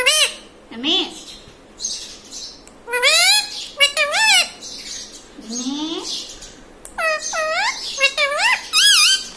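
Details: Indoor pet ringneck parrot imitating household words such as mummy, papa and radhe; dense run of harmonic, swooping voiced syllables and shrill squawks, nearly continuous over nine seconds.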